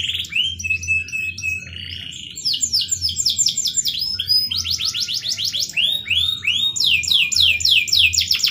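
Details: Energetic canary song in the cengkok merdu style, starting with a level whistle, then long series of quick rising swooping notes repeated several times a second, bright and high, with a faint low hum.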